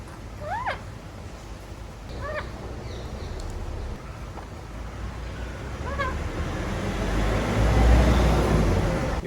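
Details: A pet Indian ringneck parakeet in a good mood, in Singapore, gives three soft, rising, slightly nasal calls a few seconds apart, over a low rumble with a person talking and faint music, while being fed cashews; rose-ringed parakeet.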